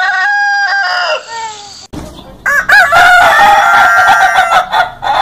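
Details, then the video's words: One of many different roosters crowing: a harmonic crow sliding downward in stepped phrases, a short break, then a second loud, long, wavering crow. "baby rooster crowing. Adult rooster sound."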